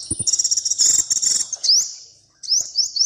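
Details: A small, brightly coloured bird sings a high, rapid, buzzy trill for about one and a half seconds, then after a brief pause gives quick rising slurred whistles; a soft low thump is heard at the start.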